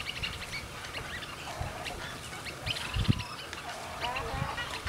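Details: Snowy egrets at a busy rookery in Yolo County make a constant overlapping chorus of harsh, raspy croaks and squawks, with deeper gurgling notes and low background rumble.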